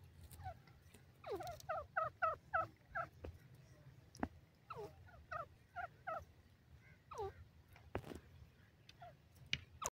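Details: Grey francolin (dakhni teetar) in a cage, calling. Groups of sharp, ringing notes come in quick runs, broken by pauses and a few clicks, over a steady low background hum.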